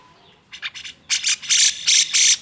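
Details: Harsh, grating chatter from an agitated grey-cheeked bulbul (cucak jenggot), whose song serves to provoke other birds to sing: a few short buzzy notes, then loud, broad rasping bursts growing longer and louder.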